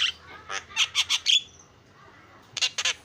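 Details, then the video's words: Lure song of a starling: a cluster of loud raspy squawks with a whistled slide near the middle, then a pause of about a second before two more harsh bursts. "SUARA JALAK PALING KREN KICAUAN JUARA"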